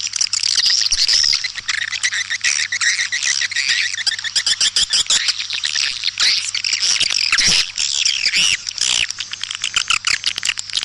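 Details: Lure call of white-nest swiftlets played to attract them to swiftlet houses in East Kalimantan: a continuous, crowded chatter of sharp high chirps and squeaks over a faint low hum.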